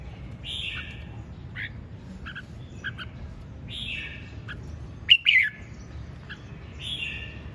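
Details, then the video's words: Red-whiskered bulbul singing hard in the ché chẻ style; soft buzzy notes recur before a loud, quick pair of clipped whistled phrases near the end, with a faint low hum beneath. "Hót Cực Sung ( Ché Chẻ Cực Đỉnh)"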